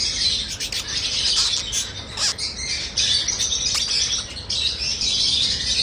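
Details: Pet cockatiel chirping: a dense, unbroken run of high, rapid chirps and short squawks that fills the whole stretch, with no other clear sounds.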